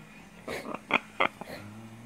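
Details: Catalina macaw, a male pet, gives three short, harsh, raspy squawks about a third of a second apart, with a person's voice heard nearby.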